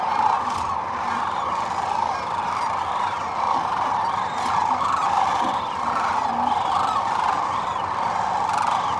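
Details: Sandhill cranes on their spring northward migration stopover along the middle Platte River, central Nebraska, feeding and resting; a dense, unbroken chorus of rolling, rattling calls from many birds, with a few louder bugles standing out.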